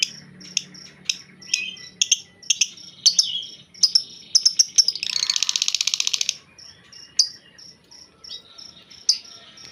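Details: Caged white-rumped shama grumbling rather than singing: scattered sharp high clicks and chips, short whistled notes, and a dense buzzy rattling burst lasting about a second, then further sparse chips; a faint low hum runs early on.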